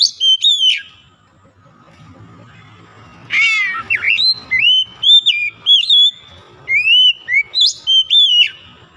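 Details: Indonesian kacer, the Oriental magpie-robin, a once lazy singer being restored to full voice: a rasping burst, then a fast run of bright, clipped whistles, some slurring down and some rising, over faint background hum.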